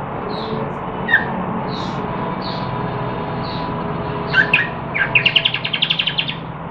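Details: Caged yellow-vented bulbul singing while learning different songs, recorded 14 September 2021: short whistled notes near the start, then a rapid burst of bright, bubbling chirps in the last two seconds over steady low background hum.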